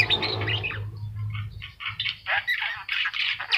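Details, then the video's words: Javan myna singing for a master recording to get young birds singing: squawky, buzzy phrases in quick clusters, a low droning hum under the first second and a half. "jalak kebo mata kuning gacor"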